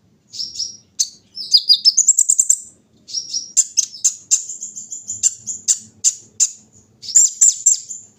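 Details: Out in the morning dew, a kolibri ninja sunbird pours out fast, high-pitched twittering phrases of clipped notes and trills, nearly continuous with short gaps.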